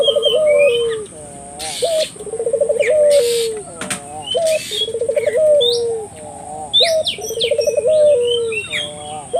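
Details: Lure recording of a vocal Barbary dove meant to set local doves calling: rhythmic low coos, each a quick trill sliding into a long falling note, about every two and a half seconds, amid scattered high chirping birds and a constant thin whine.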